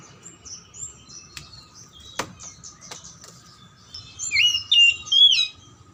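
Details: Oriental magpie-robin song to stir silent or lazy birds into singing: faint scattered high chirps and a few sharp clicks at first, then a louder closing run of three whistled, warbling notes.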